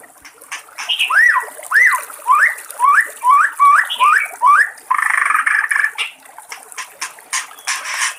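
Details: In the wild, a White-rumped shama repeats a looping upslurred whistle about seven times in steady rhythm, followed by a harsh buzzy burst and scattered clicking notes.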